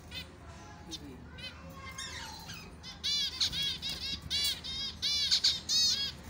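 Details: Finches singing; after some thin scattered notes, a run of quick, rapidly repeated chirps and twitters starts around the third second and continues to the end, with faint background noise.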